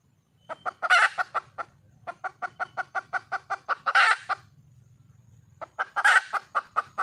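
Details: Red junglefowl hen calling for a male: long runs of rapid, regular clucks broken by three harsh, wide-band squawks, about two seconds apart at the peaks; quiet low droning in the pauses.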